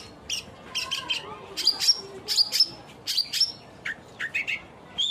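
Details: Long-tailed shrike singing in bursts of harsh, scratchy chirps mixed with short high whistled notes, about one burst every half second, with a faint low tone in the background.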